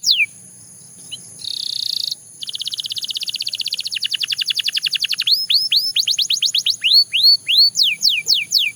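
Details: Belgian canary singing: a brief falling whistle, then a buzzy level roll, then a fast rattling trill that slows into a series of high, hooked, downward-sweeping whistled notes, clean with no background sounds.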